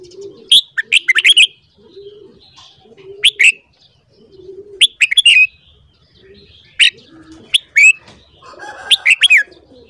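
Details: Morning song of a red-whiskered bulbul, for bulbul voice training: quick clear warbled phrases of two to five notes recurring every one to two seconds, with soft low cooing in the background.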